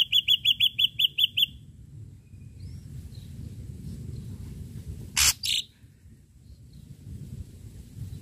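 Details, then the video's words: Ashy drongo lure song: a rapid burst of about eight bright chips, then quiet, then two harsh explosive cracks, with faint outdoor background noise. "srigunting abu abu gacor PANCINGAN PUKULAN TAJAM"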